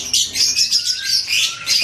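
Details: Captive-bred White-rumped shama at a breeding farm in Tulungagung sings a dense, unbroken run of high, bright chirps and twitters, threaded with a thin whistle that slowly rises in pitch.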